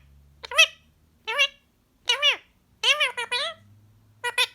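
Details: Male green pied Indian ringneck parakeet, kept as a pet, talking non-stop while relaxed after a day of fun, saying phrases such as yummy yummy, come here baby and tickle tickle; short bursts of harmonic, speech-like syllables in a quiet room.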